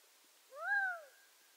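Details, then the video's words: Single nasal, meow-like note from a Gambel's quail, swelling and then fading over roughly 0.6 seconds, the pitch arching up and sliding down, over faint background hiss. "Gambel's Quail Nature Sound Effects"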